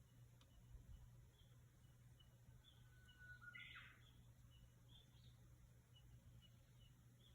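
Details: A Japanese bush warbler in rural Japan gives one long, level whistle followed by a quick, explosive flourish. Faint chirps from other birds sound around it over a low, steady hum.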